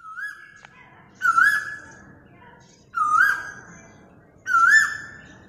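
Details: Asian koel caught on a phone recorder: loud whistled notes that rise and waver, given three times about one and a half seconds apart, with faint background noise.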